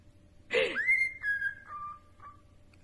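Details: Pet cockatiel giving a harsh, breathy onset that slides up into a long clear whistle, then drops in steps to two lower held notes, fading out in a quiet room.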